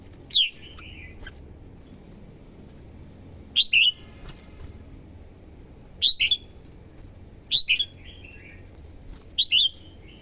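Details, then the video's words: Red-whiskered bulbul, a female singing to excite males and draw in wild birds. Short, bright whistled phrases of two or three quick notes with a trailing lower slur, repeated roughly every one to two seconds, five times. "TIẾNG CHIM CHÀO MÀO YẾU LỬA HÓT KÍCH BỔI MỞ MỎ HÓT SỔ CĂNG LỬA"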